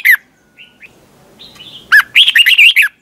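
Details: Red-whiskered bulbul in competition song, 'twisted voice' style, a morning training and lure recording: a short sharp note, faint thin whistles, then a rapid, bright warbled phrase of looping notes.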